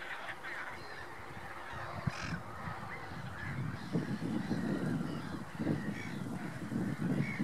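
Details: Common pochard (Aythya ferina) giving low, rough, growling calls in an irregular series, with other waterfowl faintly calling and a steady background of water and wind.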